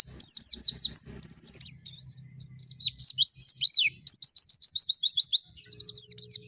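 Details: White-eye singing hard in forest style: varied high whistles, twisting slurs and fast even trills run together, over a faint low hum.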